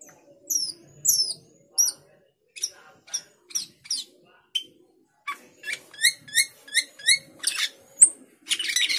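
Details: Male cucak keling calling a rival, a bright series of short high whistled chirps and downslurred notes, some paired, repeated rapidly with brief gaps, ending in a dense burst; faint background murmur.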